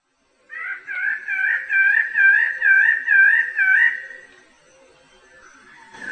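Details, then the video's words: Bird-of-paradise song: a series of about six loud, wavy, whistled notes in quick succession, each rising and falling and sounding slightly nasal. The series trails into a held tone, then goes quiet. "¡Escucha el canto del AVE DEL PARAISO!"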